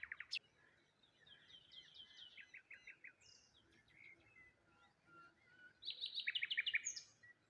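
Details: Birds calling on a morning by the water near a lone tree and rose hips, a run of sharp descending chirps early, then a loud fast trill of evenly repeated notes toward the end.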